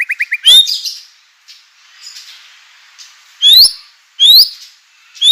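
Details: White-rumped shama in vigorous song, used as a lure to make other shamas answer; a few quick chips, then loud rising whistled notes delivered singly with quiet gaps between them.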